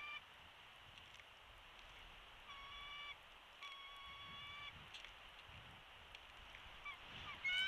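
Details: Bald eagle at a nest in Big Bear Valley, filmed by a live nest camera on 13 March 2022 around 12:22, with a chick hatched ten days earlier: a few drawn-out, squealing whistled notes in short bursts over steady background hiss.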